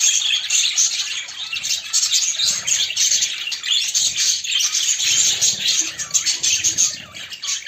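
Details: Budgerigars, a female courting a male, kept as pets: continuous rapid chattering warble of scratchy chirps and squeaky notes, loud and unbroken throughout.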